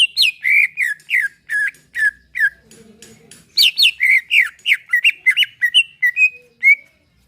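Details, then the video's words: Greater green leafbird in a cage giving relaxed song meant to spur other caged birds: a run of loud, downward-sweeping whistled notes about three per second, a brief quiet gap, then a second run ending in softer whistles. "Ampuh buat pacingan cucak ijo agar bunyi || lantunan santai"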